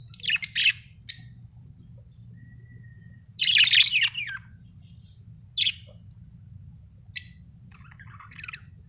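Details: Happy pet budgerigar giving short bright chirps in scattered bursts, some buzzy and some clipped, separated by pauses of one to two seconds, with a steady low hum underneath.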